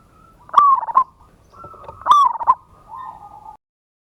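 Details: Local zebra dove performing a loud provoking lure song in ngayer, kerot and nutut style: two rippling cooed phrases about 1.5 seconds apart, each followed by a softer, lower drawn-out trill.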